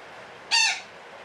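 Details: Single grating parakeet squawk from a long cackling call (ngekek panjang), loud and harmonic-rich, about a quarter second long, with quiet hiss before and after.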